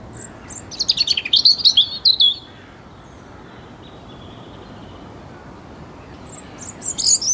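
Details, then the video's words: A European Robin singing up in budding trees in early spring sunshine beside an old disused rail line near Preston: high, thin, tumbling phrases of sweet notes separated by a pause, with music. "and the robin is singing away in the sunshine [Music]"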